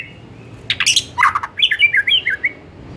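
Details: White-rumped shama, afternoon lure recording: a few harsh buzzy notes followed by a quick series of short looping whistled phrases.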